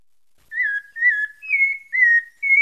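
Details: Short burst of pale-breasted thrush song from Santa Fé, Bahia: five clean whistled notes in quick succession, mostly level or gently falling, the last slightly higher, in a quiet background.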